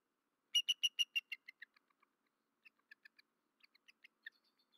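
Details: At a Berry College nest in Georgia just after midnight, 13 March 2024, a male bald eagle gives a fast series of loud, high chittering notes that drop in pitch and fade, followed by quieter scattered squeaky peeps.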